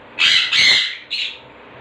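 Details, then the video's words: Pet green-cheeked conures in blue and green colour forms call indoors: two loud harsh grating squawks back to back, followed by a shorter, softer squawk. "Blue and Green Cheek Conures"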